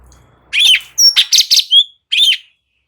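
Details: Light-vented bulbul singing in the ngebren style on a training recording. A harsh scratchy note leads into a quick sequence of clipped whistles and chirps. The phrase ends with a drawn-out, slightly rasping note.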